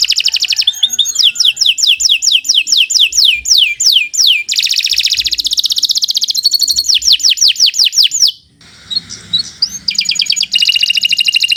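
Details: Canary in continuous song for training other birds: alternating rolling buzzes and runs of rapid falling whistles, a brief quieter pause with soft chatter, then another dense trill.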